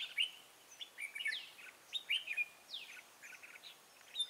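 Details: Lure red-whiskered bulbul singing during bird trapping on 14 March 2017. It gives lively whistled chirps and short warbled phrases, with a few descending swept notes between them.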